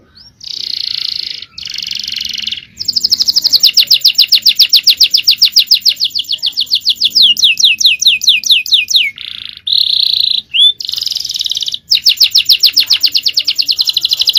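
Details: Male canary in full champion-style song: long buzzy rattles alternating with very fast trills of rising notes, repeated over several seconds, with short gaps between phrases.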